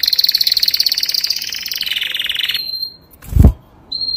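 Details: Young canary song: a rapid high pulsed trill that slides gradually downward, breaking off into quiet; a low thump and a brief whistled note follow.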